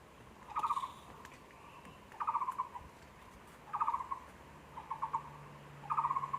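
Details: Taiwan barbet at a zoo, 24 February 2020, giving hollow, rapid knocking notes in short bursts, repeated roughly every one and a half seconds; a faint low hum joins near the end.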